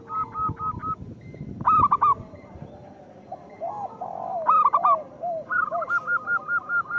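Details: Local zebra doves sing in a recording used to coax idle birds into cooing. Quick, level coos and two loud, clipped, ringing bursts mix with lower rounded coos, and the clip ends in a fast, even string of notes.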